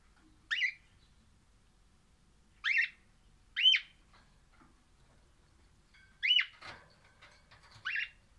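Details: Orange crimson rosella (pennant) parrot said to be singing happily; five short, sharp, chirped notes spaced irregularly, one to two seconds apart, each dropping quickly in pitch, over near silence.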